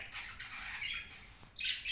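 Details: Cockatiel giving a long, harsh, noisy screech, then a short pause before a second grating call, against a quiet room background.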